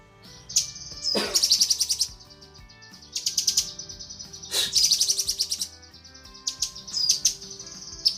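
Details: Female cucak kinoi calling the male, recorded for bird training: harsh, buzzy, high chatter in bursts about every one and a half seconds, separated by thin steady whistles, with a sharp click and faint low tones.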